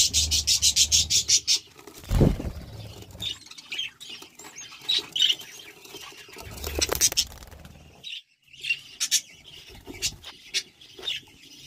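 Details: Budgerigar chicks in a nest box as the nest is opened: bursts of rapid, raspy high chirps in the first seconds, then scattered short squeaks, with loud handling thumps and rustling.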